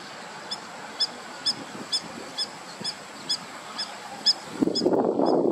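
Egyptian goose giving short, nasal honks repeated steadily about twice a second, ending in a louder rush of rustling noise.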